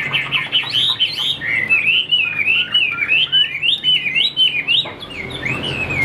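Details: Chinese hwamei kept as a cage bird pours out a quick, loud string of clear whistles. Each note curls up then falls, in an uneven, rolling rhythm lasting several seconds.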